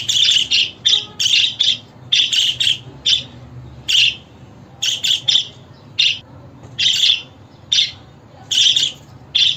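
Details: Budgerigar calls to coax pet budgies into singing and replying: a long series of sharp, high chirps, often in clusters of two or three, with short irregular breaks between groups.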